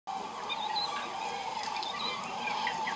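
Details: Common crane flock migrating north in February: a dense chorus of overlapping rolling trumpeting calls, steady for the whole three seconds, with faint higher whistled notes above.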